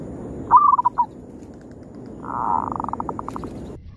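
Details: Local wild zebra dove used as a lure to call rivals: a short burst of staccato mid-pitched coos, then after a pause a longer purring phrase breaking into quick pulsed notes, over steady background hiss.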